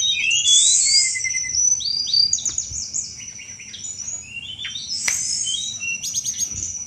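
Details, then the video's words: Vigorous cetrekan song of a Sunda robin, used to lure thrushes: fast varied high phrases, buzzy bursts mixed with short rising and falling whistles, about four notes a second, a couple of sharp clicks, faint steady whine behind. "tledekan gunung gacor cetrekan cocok buat mancing segala jenis anis"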